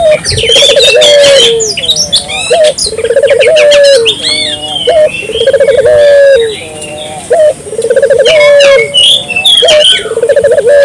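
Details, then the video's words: Barbary dove cooing steadily as a lure so local doves join in: low, bubbling, rolling coos repeated about every two to three seconds, five phrases, each ending in a stretched note, with loud chirps and whistles from other birds throughout. "suara burung puter gacor,merangsang burung puter lokal ikut gacor"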